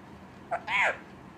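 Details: A talking Indian parrot speaking Punjabi: a brief clipped note, then a longer arched, voice-like syllable bending downward at its end.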